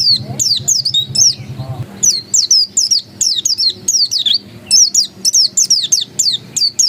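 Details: Pleci dakun, an oriental white-eye, sings ngotot style: a vigorous run of very high, slurred whistles, each note dipping then rising, packed several per second with short pauses. A low rumble is heard near the start.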